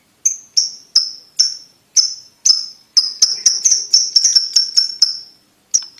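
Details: Lovebird ticking, used as a model so young lovebirds learn to trill quickly: a series of about seventeen sharp high ticks, evenly spaced at first, then crowding closer in the middle before slowing and stopping.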